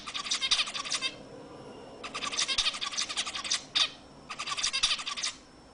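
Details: Song of a zebra finch played to stimulate other birds: three chattering bursts of rapid, buzzy, nasal notes, each about a second long, with a single sharp note in between.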